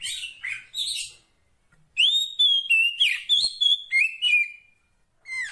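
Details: Wild female Oriental magpie-robin calling for the male, giving harsh chattering notes followed by a rapid series of about eight loud whistled phrases, each lasting a fraction of a second, with one final whistle.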